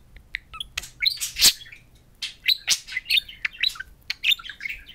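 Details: Pair of pet budgerigars chattering at a mirror inside the home; busy run of high squeaky chirps, clicks and warbled notes, with one louder burst near the middle.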